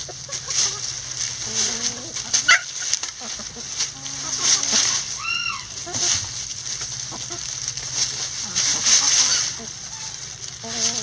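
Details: Chickens in a backyard coop scratching down a pile of leaves: short low clucks scattered through, one clear rising-then-falling arched call in the middle, over constant dry leaf rustling and a steady high insect-like hiss.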